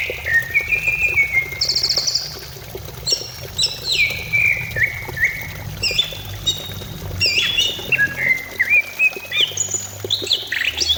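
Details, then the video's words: Greater green leafbird song used to stimulate other leafbirds to sing: a long, varied stream of whistled notes jumping between pitches, with trills, slurs and short buzzy bursts, over a low steady hum. "Pancingan cucak ijo supaya cepat bunyi"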